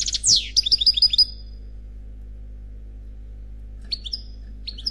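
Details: European goldfinch song, khalwi style, from an unmated male: a loud descending buzzy sweep and a rattle of sharp twitters, then a long pause and sparse paired high chirps.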